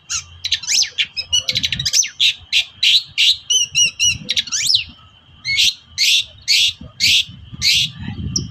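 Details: Long-tailed shrike singing hard, used as a lure to provoke shrikes that rarely sing: dense harsh buzzy notes and rapid chattering trills, then a steady series of loud rasping notes about two per second.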